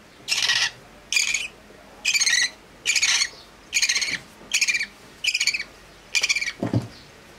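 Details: Budgerigars, a mother feeding her young: a steady run of rasping, buzzy chirps about every second, each a short harsh burst, ending with a lower, louder squawk near the close.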